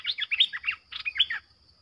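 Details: Streak-eared bulbul used as a decoy to attract wild birds. It gives two quick bursts of bright, jumbled chirping notes in fast succession, then falls silent. A constant high-pitched insect drone sounds behind it.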